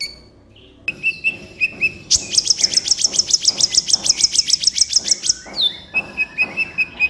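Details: Sunbird called kolibri ninja, master recording for training caged birds: a few thin whistles, then a long, even, rapid trill of about twenty high notes, ending in lower repeated whistles.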